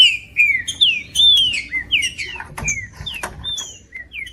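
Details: Green-winged saltator singing to rouse a cold bird for tournament singing; rich, loud whistled phrases sliding downward, delivered rapidly at first, then spacing out into single falling whistles, with short clicks between.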